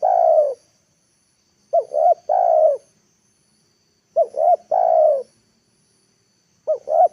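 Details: Spotted dove used as a lure bird, cooing to draw wild doves to the ground; repeated three-note phrases, two quick clipped coos then a longer drawn-out hoarse coo, roughly every two and a half seconds.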